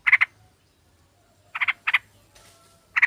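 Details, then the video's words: A female sooty-headed bulbul calls for a male, a recording meant to lure birds: scattered harsh chattering bursts of two or three quick notes, separated by gaps of up to a second, with a faint low hum. "Pancingan trucuk ombyokan dan obat mlas bunyi biar GACOR"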